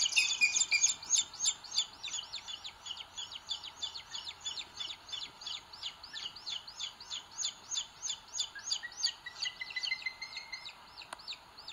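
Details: Booted eagle chicks on a nest in Sierra de Guadarrama, Spain, 2022, begging with a fast, steady run of thin, high cheeps, about three a second, and faint softer chirping late on, as the bigger chick pecks the little one.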